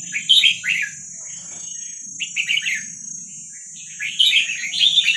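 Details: Wild Vietnamese red-whiskered bulbul youngsters, a recording for training young birds, deliver loud, bright chattering phrases at the start, middle and end, separated by quieter gaps, with a continuous high tone and low rumble behind.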